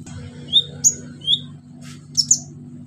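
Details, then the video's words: Vigorous orange-headed thrush song with loud 'shooting' phrases and mimicry fillers, aimed at coaxing silent birds to sing: clear rising whistles, a sharp high note, then a doubled high chirp, over a steady low hum. "KONIN GACOR NEMBAK ISIAN PANCINGAN KONIN MACET BUNYI"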